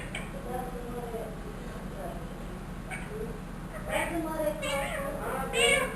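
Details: A trained one-year-old rose-ringed parakeet (Psittacula krameri) talks in short, nasal, speech-like phrases ("Allah ho", "mitho bety") and gives a cat-like meow, over a low room hum.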